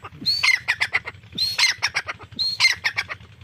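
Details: Irani teetar, the grey francolin, gives three loud calling phrases, each a sharp rising whistled note followed by a quick series of harsh rasping strokes, roughly one phrase per second.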